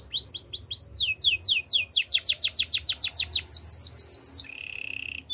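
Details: Spanish Timbrado canary singing for training: quick repeated downward-sweeping notes speeding into a long rolling series of sharp slurs, then a low buzzy trill at the end.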